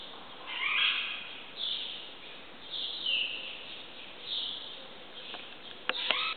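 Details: Birds singing at dawn, around 5am, in a riad courtyard in Marrakech: bright warbled phrases repeated roughly every one and a half seconds, with a few sharp clicks near the end.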